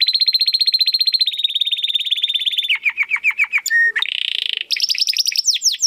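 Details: Domestic canary singing a crisp, clear song used to train contest birds: a long steady rapid trill, then deep dropping notes, a short whistle, a harsh burst and upward-sweeping notes.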